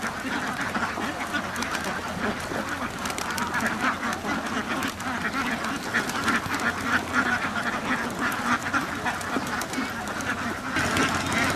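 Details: Farm ducks in their house call together, producing continuous raspy quacks that overlap into a constant din, with a few louder bursts standing out near the end.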